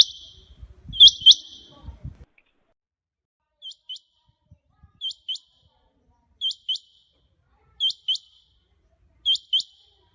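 Rain quail giving sharp, high metallic double notes, 'whit-whit', repeated about every one and a half seconds; low handling thumps at the start.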